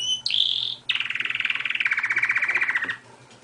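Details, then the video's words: Canary singing: a short high whistle, then a long, rapid pulsed trill falling slowly in pitch for two seconds, clean, with only faint low background hum. "صوت طائر الكناري اجمل من اي اغنية بدون مؤثرات صوتية"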